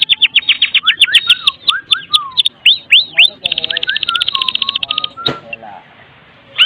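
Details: Medan white-rumped shama (murai batu Medan) in kretekan style, a lure to set other shamas singing: rapid runs of sharp repeated chattering notes, slurred falling whistles, then a dense buzzy trill and a click-like burst near the end.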